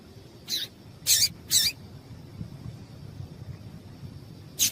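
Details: Female yellow-bellied seedeater call, played to stimulate males to sing, as breeders do for singing tournaments; three short, sharp, high chips in quick succession, a pause, then one more chip over a faint steady high hum.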